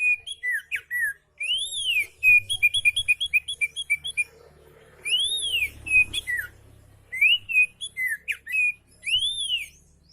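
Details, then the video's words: Oriental magpie-robin in a relaxed singing session, used as a tutor recording to prompt reluctant magpie-robins to sing: loud, clear whistled arches rising and falling, alternating with quick stuttered trilled runs, in bursts separated by short pauses. "KICAU KACER SANTAI COCOK BUAT MASTERAN KACER MALAS BUNYI"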